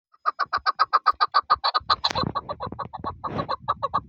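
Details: Chukar partridge (chakor) calling in a rapid series of short, clucking chuk notes, about three or four a second, growing louder and then breaking into a rougher, overlapping chatter with background rustling.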